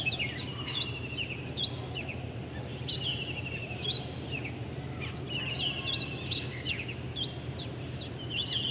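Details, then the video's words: A busy chorus of small birds, bright high chirps and short falling whistles tumbling over one another almost without pause, over a faint continuous background hum. "Sweet Birds 🐦Chirping Sounds"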